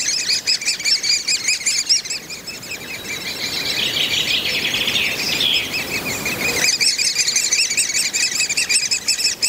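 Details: Breeding pair of great spotted woodpeckers feeding their young in the nest, Mønsted Kalkgruber, 30 May 2020; high, rapid, squeaky chatter, briefly swelling into a louder, more excited burst midway before settling back into steady chattering.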